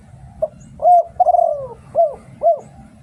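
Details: Thai spotted dove, a decoy bird for luring others, cooing one phrase: short note, loud even coo, long pulsing descending coo, then two arched coos in quick succession, with low background hum.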